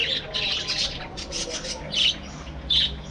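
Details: Budgerigars kept in a breeding colony: harsh squawking chatter with two louder, clearer screechy calls standing out near the end.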